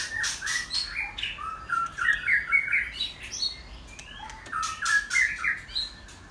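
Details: A kept white-rumped shama sings varied short whistled phrases and chattery notes, softer and partly masked by repeated broadband clicks or rustling.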